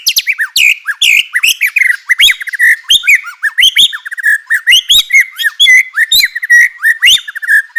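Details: Vigorous White-rumped shama song meant to provoke rival shamas: a dense, unbroken stream of varied warbled and slurred phrases, quick chips and twisting whistles packed closely together.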